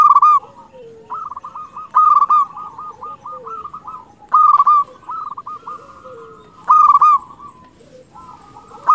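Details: Local zebra dove in full voice, used to lure wild doves and stir their mating urge: steady low cooing with rapid rolled notes, broken roughly every two seconds by loud sharp clicking bursts.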